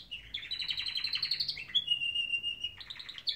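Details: Canaries singing in the morning, giving a rising rapid trill that flows into a long, steady, pure whistled note, then another burst of quick trilled notes.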